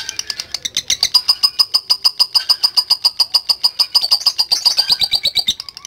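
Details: Lovebird giving a long ngekek trill, a fast, even chain of harsh high chattering notes, about three per second, held steadily for the whole stretch.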